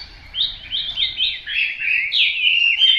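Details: Hwamei singing a continuous run of loud, clear whistled phrases, each note sliding and bending, linked without pause into a rich flowing strophe; background otherwise quiet.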